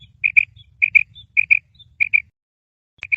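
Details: A female Uzbek quail gives soft, high, paired notes, 'quip-quip', repeated about every half second over a faint low rumble.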